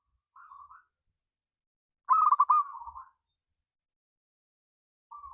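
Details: Local zebra dove lure recording meant to provoke singing: one loud rolling, stuttered coo phrase that trails into a softer wavering note, with quieter fragments before and after.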